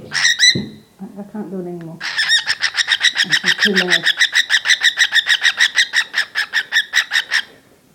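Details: An angry pet cockatiel makes a "machine gun" noise at a squeaking wooden toy: a loud shriek, then a fast run of harsh, ringing screeches over a low voice.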